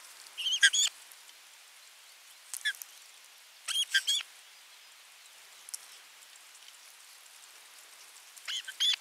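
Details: Osprey at nest 3 on 27 June 2022 while a delivered fish is fed: scattered clusters of thin, high whistled chirps separated by quiet gaps of a few seconds.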